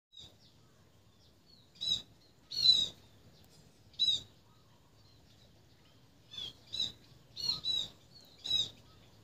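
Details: Sparrow chirping: short high squeaky chirps given singly or in quick pairs, about eight over nine seconds, with quiet gaps between.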